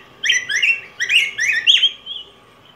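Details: Song of the yellow grosbeak, a large cardinal of Mexico and Guatemala: one continuous phrase of five or six sweet, slurred whistled notes, each swinging up and down, ending in a fainter trailing note.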